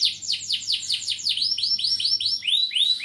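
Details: Vigorously singing canary in the 'cengkok mewah' song style, a series of high swept notes, first falling slurs, then shifting to rising upswept whistles repeated several times per second.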